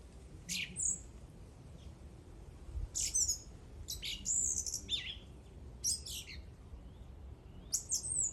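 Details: Bird singing loud, high chirped phrases separated by short pauses, some notes sliding down in pitch, repeated several times through the passage.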